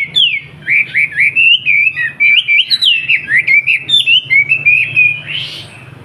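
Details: Caged Wambi from Surabaya singing a master song for young bulbuls: a continuous medley of warbling, bouncing whistles, each phrase swooping up then down, with a slight rustle near the end.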